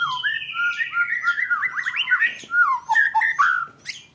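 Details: Contest-training song of a white-rumped shama: a long descending series of clear whistles and slurred notes, then quick chattering rolls and several abrupt sharp notes fading out at the end.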